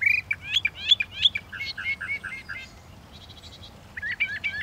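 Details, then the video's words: Northern mockingbird song: bright, varied whistled phrases, each note type repeated several times in quick series before switching to a new phrase, ending with a rapid buzzy chatter, over faint low background rumble. "The song of the Northern Mockingbird"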